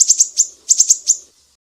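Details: Mangrove whistler from Sumatra, besetan master recording for training songbirds: brief burst of ringing, very high chip notes, two quick groups of about four, fading out.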